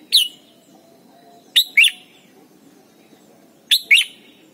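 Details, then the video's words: Singing Red-whiskered bulbul from Thailand, a recording for teaching young birds: a single crisp note followed by two repeated paired whistled phrases, each pair a rising chirp then a falling liquid note, spaced about two seconds apart. "นกปรอดหัวจุก Thailand Bird: เสียงดีมาก (สอนลูกไก่) เต็ม - ฝึกร้องเพลงร้องเพลงยอดหรือเสียงบิด"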